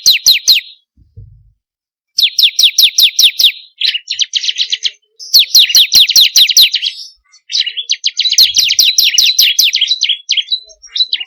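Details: Bar-winged prinia (ciblek kristal) song played to make kept birds sing: repeated bursts of rapid, high, downward chirps alternating with dense buzzy trills, separated by short silences.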